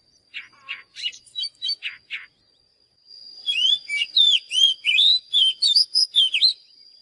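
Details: Oriental magpie-robin in full song: several short chirped notes, a second's pause, then a loud fast stream of rising and falling whistles and twisting slurs, with a thin steady high tone underneath.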